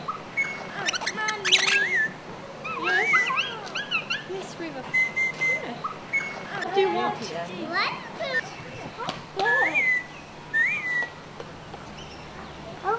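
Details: Crimson rosellas in Australia give clear, ringing whistles, some flat and some sliding upward, repeated every few seconds over dense overlapping chattering notes.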